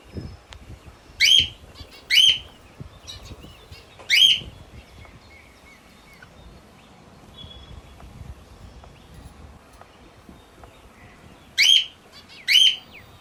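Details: Pet sun conure at play with a ring: three sharp, piercing chirps early on, a long quiet stretch, then a closing pair of the same harsh notes.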